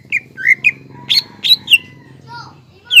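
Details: Greater green leafbird in energetic song for stimulating other leafbirds: quick whistled slurs, then bright sharp notes, a softer falling whistle and a final high note, with faint low hum behind.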